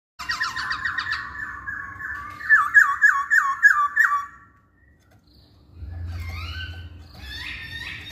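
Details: Masked laughingthrush song used as a lure to get reluctant males singing: a fast run of about ten looping, wavering whistles, then a pause before harsher rising notes over a low hum.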